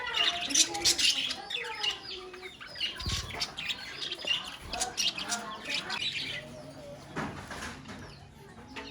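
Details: A colony of budgerigars chattering continuously, a dense mix of squeaky chirps, warbles and twittering notes from many birds at once, with a few low knocks and thuds.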